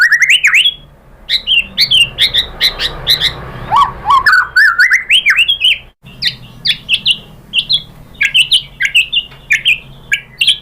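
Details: Murai batu (white-rumped shama) singing a pancingan lure to draw an answering song. Varied, energetic phrases of quick slurred whistles, chips and short buzzy notes, with brief pauses between bursts.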